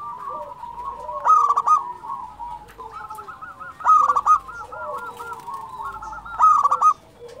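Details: Local zebra dove in lively song, used as a master recording to stimulate quiet birds: soft rolling cooing phrases ending in stronger trilled coos, repeated about every 2.5 seconds, with faint background noise.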